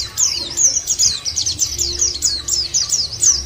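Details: Short burst of white-eye song used as a singing lure: quick, very high, squeaky notes in pulsing clusters about four times a second, with a faint low rumble underneath.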